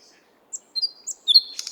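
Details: Nightingale singing in the 50-letiya Oktyabrya park, Moscow. A song fragment of a few high, thin whistled notes, then a brighter sliding whistle ending in a dry, rattling trill. Quiet background.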